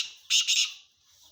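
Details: Loud harsh double-pulsed rasp from a calling male black francolin, brief and grating, fading into quiet.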